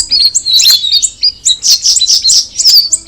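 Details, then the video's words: Straw-headed bulbul (cucak rawis) singing: a dense run of high, quick chirps and sliding whistled notes, bursts tumbling one after another with barely a pause. "the alluring sound of the cucak rawis bird"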